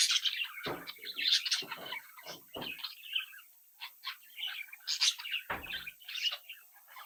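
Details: Budgerigar brood kept at home, chicks chattering and mimicking: loud scratchy warbles and quick chirps mixed with several sharp clicks or taps.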